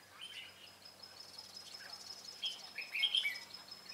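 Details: Red-whiskered bulbul decoy bird at a trap in Vietnam, 25 April 2017, singing a fighting song: short warbled notes ending in a louder burst, over a steady high hiss.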